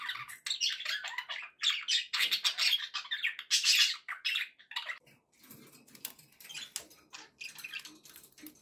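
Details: Loud rapid scratchy warbling from happy budgerigars for about five seconds, then quieter scattered chirps and clicks over a soft background hiss.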